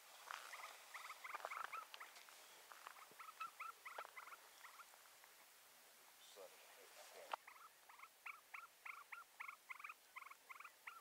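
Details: Rufous-bellied seedsnipe calling at a distance: faint, paired chattering notes repeated in quick bursts, with a short break before the series resumes, steady and rhythmic over a soft hiss.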